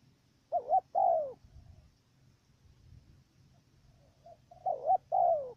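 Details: Caged decoy dove in Cà Mau, Vietnam, used to lure wild doves into a trap, giving a stuttering "cà lăm" coo: two quick wavering low hoots, a pause of several seconds, then another pair of wavering coos, with faint low background rumble.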